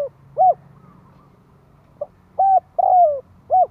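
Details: Cooing of a spotted dove, used for luring wild doves. It ends one phrase, then after a gap gives a full phrase: a brief note, a short coo, a long falling coo and a final rounded coo.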